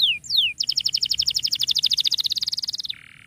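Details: Canary in vigorous song, played to coax silent canaries into singing: two long downslurred whistles, then a rapid, evenly pulsed bright trill fading into a low buzzy ending.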